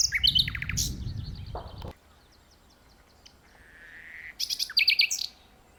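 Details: Common nightingale song from a tree: a burst of rattling chatter, a pause, then a drawn-out whistle swelling into a loud trilled flourish; low background rumble early on.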